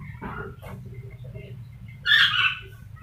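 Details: Rainbow lorikeet imitating a chicken, giving a loud harsh squawk of layered tones near the end after softer low clucking notes earlier, with faint background hum.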